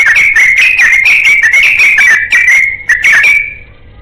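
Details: Yellow-vented bulbul in a long rapid song while looking for a companion: a dense, continuous run of bubbly, warbled whistles at a fairly even pitch, fading out near the end.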